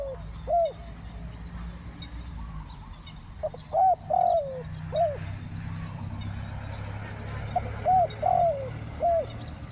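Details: Two-word 'ku-ang' coo of a spotted dove during luring of wild doves: soft, hollow coos grouped into phrases ending in a longer downward-sliding note, repeated about three times with gaps, over faint low hum.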